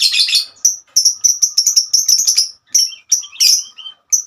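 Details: Lovebird, a female, singing in the long ngekek style: a dense, scratchy burst, then a tumbling string of high, clipped chirps at uneven spacing, with a few lower buzzy notes near the end.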